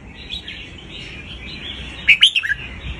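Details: Used for teaching young birds, a single brisk red-whiskered bulbul phrase near the end: four or five clear, lilting whistled notes, rising then dropping. Before it comes a soft background of chirping birds.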